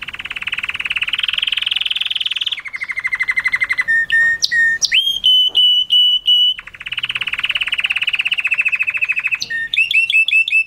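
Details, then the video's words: Canary singing a strong mushti-style song for mating: long rapid buzzy rolls, a lower steady trill, then clear whistled notes and sweeping slurs before the fast rolling trill returns. No other sounds. "تغريد كناري موشتي قوي وممتع"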